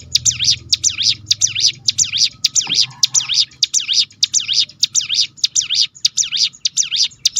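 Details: Ciblek gunung, the hill prinia, delivering a continuous 'roll tembakan' burst meant to prompt other birds to sing: a steady stream of sharp, high, dipping-and-rising notes, about three each second, with a faint low hum beneath.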